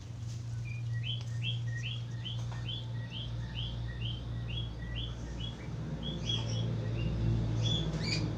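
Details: An actively singing Australian finch gives a steady run of short, high, clipped notes, about four a second, later breaking into scattered chirps, all over loud low droning background noise.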